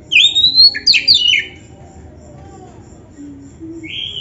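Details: Oriental magpie-robin song used to set off caged birds: a long high whistle and quick descending slurred notes in the first second and a half, then near quiet and a final flat whistle.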